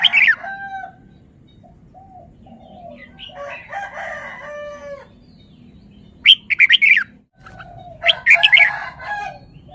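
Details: Caged red-whiskered bulbul showing off its song phrases: rich, warbled, harmonic phrases with liquid slurred notes, broken by pauses, then two louder bursts of bright, chattering notes near the end, over a faint steady hum.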